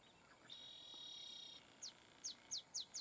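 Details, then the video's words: Olive sparrow at Laguna Atascosa National Wildlife Refuge, Los Fresnos, Texas, 30 May 2015, sings five sharp, high, down-slurred chips that come slightly faster each time, over a steady high insect whine and a brief buzzing drone. "Olive Sparrow singing"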